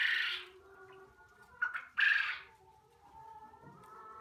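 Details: Young quail at a poultry unit: one rough squawk, then two short sharp bursts, followed by softer, low tonal murmurs.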